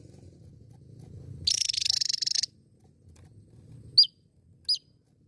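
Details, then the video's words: Javan tesia giving one dry buzzy rattle of about a second, followed by two sharp, high downslurred chip notes less than a second apart; low background hum at the start. "Masteran Burung Tesia Jawa Gacor"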